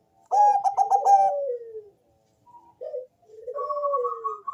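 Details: Zebra dove, Bangkok type with a thick, bassy voice, singing to coax other doves to call: a quick stutter of coos trailing into a long falling coo, then a short note and another falling coo under a higher pulsing tone.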